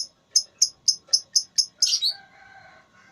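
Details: Lovebird in a singing contest: seven sharp, evenly repeated high-pitched chirps about four per second, ending in a louder harsh squawky burst, followed by a faint low tonal drone.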